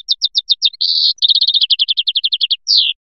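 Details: European goldfinch from Biskra with 'fliyachi' style song: quick high repeated notes, a short buzz, then a rapid even series of tinkling notes and a descending slurred finish.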